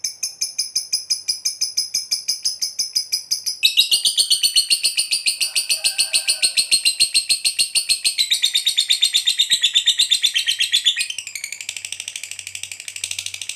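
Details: Fighter lovebird in long ngekek chatter, a provoking call for other lovebirds: quick shrill pulses that shift to a denser, harsher rattle, with the pitch sliding and the pace changing, continuing for over thirteen seconds.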